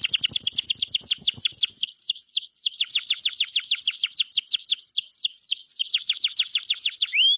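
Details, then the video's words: Canary bird singing with lively trills: continuous rapid downswept notes in rolling phrases, several per second, varying slightly in speed, closing with a rising whistle. "Canary Chirping Sound - Beautiful Singing Canary Bird"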